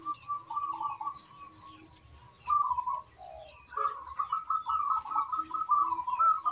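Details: Local zebra dove singing steadily, its song meant to prompt other birds to sing: soft, rapidly trilled cooing phrases run almost without pause, with a few lower, hollow notes between them and faint high chirps in the background.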